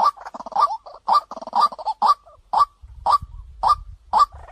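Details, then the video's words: Waterhen lure recording meant to pull birds in quickly: a burst of fast chattering croaks gives way to steady, loud 'kwak' notes repeated roughly every half second, with a low rumble near the end. "เสียงนกกวักต่อ2020 เสียงใสเข้าเร็วมาก"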